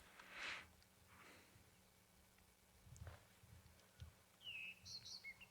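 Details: A thrush sings from a perch at dawn under the waning supermoon, declaring territory, on 11 April 2020 in Ngala Private Game Reserve, South Africa. Its faint, brief whistled phrases end in a clearer falling whistle and high notes, over a low rumble.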